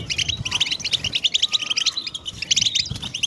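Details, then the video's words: Goldfinch stimulation chorus of European goldfinches, mating and readiness calls for males: lively, high twittering in rapid clustered bursts, a brief lull near the middle, then dense chatter again. "بتبتة الحسون تحفيز الحسون على التغريد والهيجان علاج صمت الحسون goldfinch stimulation"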